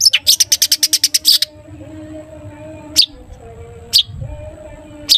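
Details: Long-tailed shrike's 'toet toet' song, meant to prompt other shrikes into singing: a rapid rattling train of about ten sharp high notes, then silence broken by single piercing notes about once a second.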